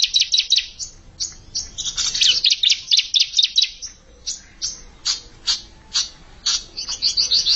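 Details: Bar-winged prinia, an untrained bird challenging an established rival, sings a dense run of sharp, high chirps and short trills, fast and uneven, with brief pauses between bursts.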